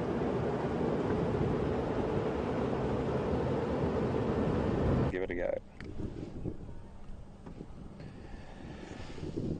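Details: Engine rumble and wind noise fill the first half, then a quieter stretch with faint voices and rustling, with no animal calls.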